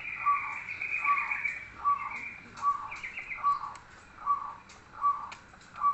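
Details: Local zebra dove singing in manggung style with mbekur phrases: evenly spaced short coo notes about every 0.8 seconds, accompanied by a higher rasping chatter from another bird.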